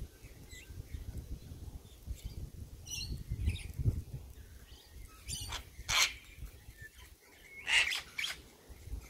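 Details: Sulphur-crested cockatoo in the morning giving harsh, raucous broadband screeches, with two loud grating bursts close together late on, over low rumbling background noise and a few thin chirps from smaller birds.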